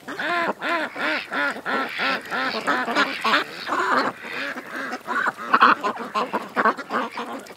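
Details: Ducks at a creek open with a fast run of about a dozen evenly spaced arched quacks, then the flock breaks into a looser, noisier jumble of calls.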